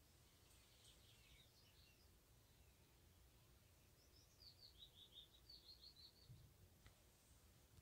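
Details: Broad-billed sandpipers foraging at Beuven, Strabrechtse Heide, on 20 May 2019, give faint, high, dry chirping notes in short rapid runs, two bursts a few seconds apart, over a steady low rumble of wind.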